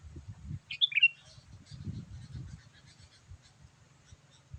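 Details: Sooty-headed bulbul call for attracting wild birds: one quick bubbling, slurred whistled phrase, then faint scattered chirps and low thumping noises.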